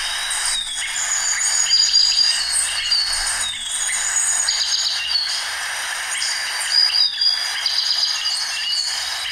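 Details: Orange-bellied euphonia song in the Río Blanco reserve, Caldas, Colombia, where the local subspecies is less orange-bellied: a dense, jumbled run of high chips, twitters and thin whistles over a steady hiss of insects or distant birds.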